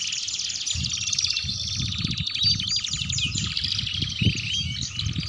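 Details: Canary singing non-stop in gacor and ngeriwik style as a tutor for young canaries: long rapid rattling trills and rolling high phrases, steady low thudding noise in the background.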